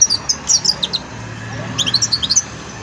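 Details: Young European goldfinch practising song during its song-learning stage: two rapid runs of high, tinkling twitters and chirps separated by a short pause, over a steady low hum.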